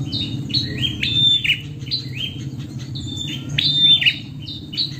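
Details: A female prinia calling to a male gives quick, sharp, high chirps in bursts of several per second, some sweeping up, others dropping, over a steady low hum.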